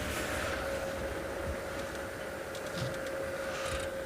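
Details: Steady mechanical hum with a constant tone and dense background noise, with no animal voice.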